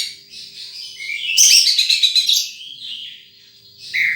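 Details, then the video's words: High, thin twitters from a wild sunbird, building to a dense burst of rapid chirps, then fading to softer notes before one last sharp chirp. "Suara Burung Madu liar"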